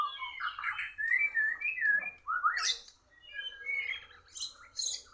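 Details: Oriental magpie-robin competing in song with a Borneo bird. Quick changing whistles and upward sweeps run together, with sharp high chirps breaking in between phrases.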